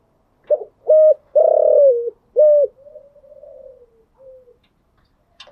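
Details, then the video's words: Spotted dove cooing at morning: a loud phrase of clipped hollow notes with a long throbbing, falling coo in the middle, trailing into quiet murmured coos and a faint sharp click. "Tiếng chim gáy buổi sáng"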